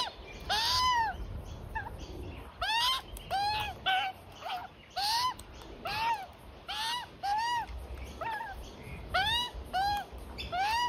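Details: A juvenile Australian magpie from a resident family that visits a front yard daily gives nasal, arched begging squawks (about ten in eleven seconds, each rising then falling) while its parents feed at lunchtime, over a low rumble.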